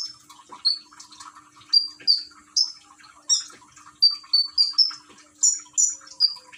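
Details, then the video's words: Common iora from Gresik, East Java, recorded by phone with trickling water used as therapy to stimulate singing: irregular piercing high chirps, sometimes doubled, coming roughly every half second against a quiet background. "Burung konin rajin bunyi dengan terapi gemercik air"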